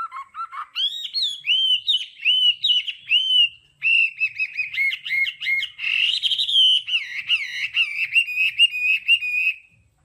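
A Hwamei sings a rich, fast run of loud whistled phrases, switching between slurred, rising and falling notes and quick repeated trills, with no other sounds.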